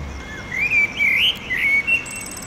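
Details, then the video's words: A male blackbird sings at sunset by a pedestrian bridge over the railway in Oradea, marking out a territory: a smooth rising-and-falling fluted phrase, a short slurred whistle, and a faint high twitter at the end. "Blackbird singing at sunset"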